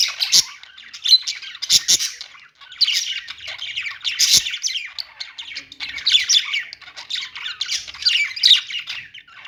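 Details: Budgerigars chirping: continuous busy warbling and scratchy chatter in bursts, high-pitched squawks and clicks overlapping throughout, several birds calling at once.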